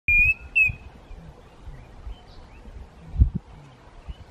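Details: Klaas's cuckoo (Chrysococcyx klaas) at Walter Sisulu Botanical Gardens, South Africa, gives two clear, high whistled notes in quick succession, followed by faint distant chirps over a low rumble of wind.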